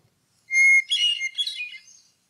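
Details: Hermit thrush (Catharus guttatus) song: a long, clear whistled opening note, then a quick, higher, fluttering cascade of ethereal flute-like tones fading away.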